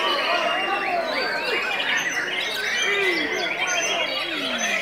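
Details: White-rumped shama fed only pellets and crickets and said to be singing hyperactively; fast, varied stream of clear whistles, rising and falling slurs and sharp chirps, dense and unbroken, with other bird voices layered underneath.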